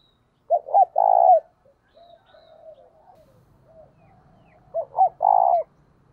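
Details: Spotted dove lure bird calling, recorded for the thúc and gáy gọi styles. A loud phrase of two brief rising notes and a long, steady coo. Soft, low, trailing coos follow, then the same three-part phrase repeats about four seconds later.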